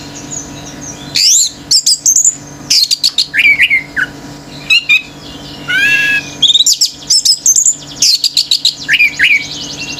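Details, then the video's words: Singing male orange-headed thrush, song provoking nearby birds to join: bursts of rapid chips, rising and falling whistled phrases and short buzzy trills come in clusters separated by brief gaps, with a constant low hum beneath. "ANIS MERAH GACOR TELER‼️BURUNG LAIN IKUT NGAMUK‼️"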